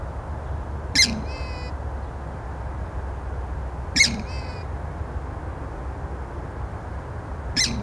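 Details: Purple swamphen (Porphyrio porphyrio) at McKellar Wetland, Belconnen, ACT, giving harsh, nasal squawks with a trailing honk, repeated about every three seconds over a steady low rumble.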